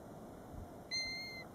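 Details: European golden plover calling near its nest, 7 ft from a roadside at Batsfjord, recorded from a car: one plaintive, clear whistle, held about half a second and falling slightly at the end, over low steady background hum.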